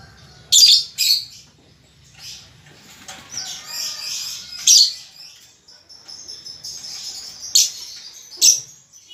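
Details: Juvenile lovebird learning ngetik and ngekek chatter. Loud, raspy chirp bursts mix with a thin, whistled twittering and irregular pauses.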